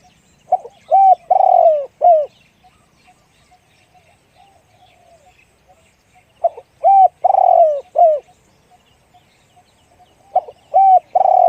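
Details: Spotted dove giving a deep-voiced, single-'kuk' coo style: soft low hooted phrases of three to four notes with a drawn-out middle coo, repeated in bursts roughly every four seconds, in a quiet setting.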